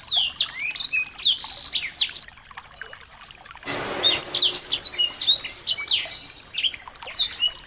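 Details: Small birds in a busy high-pitched chorus of chirps, upslurred whistles and buzzy notes, used as lure audio to rouse a white-rumped shama. A quieter stretch is followed by a short burst of hissing noise before the chirping resumes.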